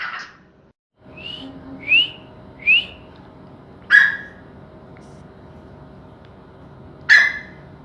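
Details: Grey francolin, known as teetar in Hindi and kapinhar in Balochi, gives three rising whistled notes, then two sharper, louder notes spaced about three seconds apart against quiet background hum.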